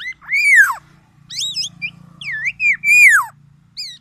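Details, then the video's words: Black-naped oriole, tame and singing often, gives loud arched whistles that rise and fall, mixed with short high twisting notes, over a steady low hum. "kepodang emas , black naped oriole,jinak dan gacor"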